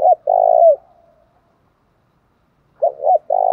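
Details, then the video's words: Spotted dove, thổ pha đồng singing style, with a long low coo falling at its end, a pause, then a quick pair of coos leading into another sustained coo. "cu gáy giọng thổ pha đồng"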